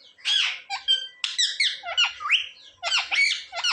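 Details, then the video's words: Pet parrot known for saying "mummy" and "papa" utters high, piercing squawks and chirps, about nine short grating notes packed closely over a few seconds, some sweeping upward. "Parrot talking mummy mithu ko roti do"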